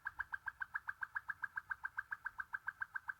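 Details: Waterslager canary, a Belgian song canary breed said to sound like dripping and flowing water: a very regular rapid series of short liquid notes, about six per second, in a small room.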